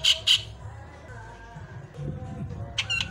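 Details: Javan myna (Acridotheres javanicus) giving varied song: two loud, harsh squawks, then a pause with soft background tones, ending with a burst of buzzy, grating notes.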